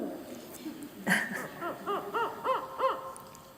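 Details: Spotted owl recording played at an owl talk, likely a male, vocal after sunset and at dawn in territorial encounters, gives a quick series of about seven arched, barking hoots, roughly three per second, after a brief murmur of people talking.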